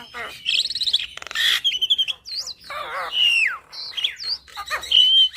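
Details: Javan myna full song meant to train captive mynas, mixing crisp whistles, bursts of clicking, falling buzzy slurs and rasping chatter in an unbroken, energetic run.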